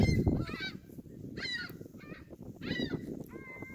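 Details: Canada geese on Hawreluk Park Lake trading clear, harsh honks in three main bursts roughly a second apart, each a rich nasal blare, with low background rumble.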